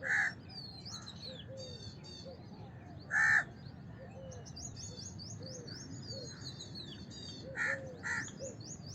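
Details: Scattered rasping caws from a house crow, single and paired, spaced several seconds apart, over a steady chorus of high, thin chirping from other birds.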